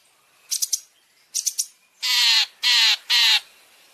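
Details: Long-tailed shrike (cendet) tutor song with champion fill material for caged birds: two quick triple chirps, then three loud, harsh, buzzy rasping notes, each about half a second long, delivered in close succession.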